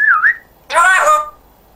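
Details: Talking African grey parrot, a pet with a Yorkshire accent, gives a loud swooping whistle that dips and rises. A warbling, speech-like phrase follows, lasting about half a second, then it falls quiet.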